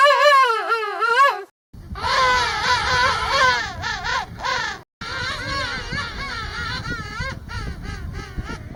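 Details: King penguin in a huge colony giving loud, trumpeting calls that waver rapidly up and down in pitch, in bursts of one to three seconds over a rough colony din; individual vocal signatures let partners and chicks recognize each other.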